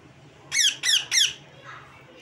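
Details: Pet parrot giving three harsh, bright chirping squawks in quick succession, each sliding downward, followed by a faint softer note in a quiet room.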